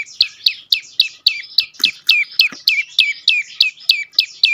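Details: Used to coax quiet birds into song, a prinia (prenjak lumut) gives a rapid string of some sixteen bright, falling chirps, evenly spaced at about three per second, over a clean background.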